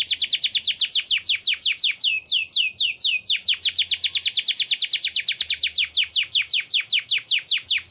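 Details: Canary singing nonstop ('gacor') in the luxurious 'cengkok mewah' style: a long, even run of bright, steeply falling whistled notes, several per second, briefly changing pattern midway. No background noise.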